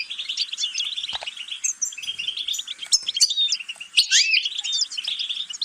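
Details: Continuous high twittering from a European goldfinch, rapid chirps running together, with a louder burst of sliding notes about four seconds in.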